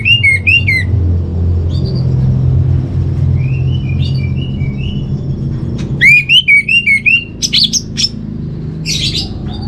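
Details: Orange-headed thrush master song for home-kept birds: a short whistled warble, soft mid-range chirps, then a longer burst of rapid up-and-down whistles and sharp high notes over a low humming background.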